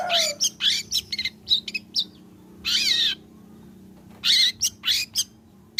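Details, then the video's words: Long-tailed shrike singing as a lure for other shrikes: scratchy, buzzy notes in quick clusters, a drawn-out grating rasp near the middle, then more harsh, squealing bursts after a brief gap. "PANCINGAN CENDET AGAR BUNYI"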